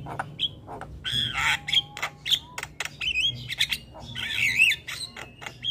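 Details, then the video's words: Javan myna in 'gacor' song, chattering steadily, mixes clear wavering whistles near the top of its range with scratchy harsh bursts and clicks, with a faint low hum beneath. "Jalak kebo gacor Ngoceh tak Henti Henti"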